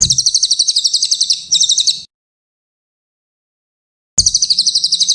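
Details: Brown cililin singing for songbird training: a high, pulsing trill with a brief stutter partway through, then silence, then another rapid chirping trill begins.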